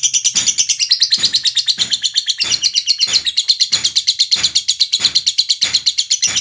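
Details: Continuous ngekek chatter from a lovebird: dense, shrill, twittering notes without pause, with soft low thumps recurring under the song.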